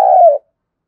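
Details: Spotted dove, one drawn-out coo sliding gently downward and ending abruptly, preceded by a click, background otherwise silent.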